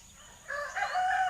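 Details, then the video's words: Common hill myna that coughs and chatters like a human: short harmonic, voice-like notes that swell and rise, then a steady tonal phrase, with spoken words around it. "Burung beo batuk dan ngoceh seperti manusia"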